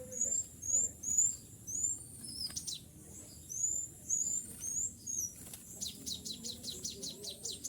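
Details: Sooty-headed bulbul, a tame lure bird calling to wild bulbuls: high thin chirps and short rising whistles in loose bursts, then a quick run of sharp downward ticks near the end, over a low steady background hum.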